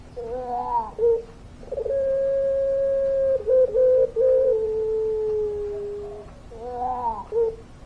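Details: Puter pelung dove singing actively with its long-voiced coo: a brief warbled opening, then a steady, level hum held for about four seconds, slowly falling at the end before a short wavering phrase returns.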